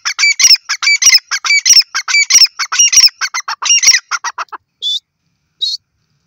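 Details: A grey francolin gives a rapid series of harsh, grating call phrases, roughly one and a half per second, which speed up and shorten near the end and then stop, followed by two isolated higher squeaks.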